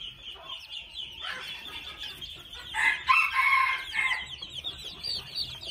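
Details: Red junglefowl chicks of two months give quick thin peeps, over three per second, interrupted mid-clip by a loud, coarse, drawn-out mid-range call.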